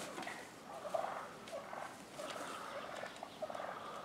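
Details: Wild turkey toms brawling on a residential street in Willits, Mendocino County, California. Low rattling purr bursts come in short clusters with brief gaps between them.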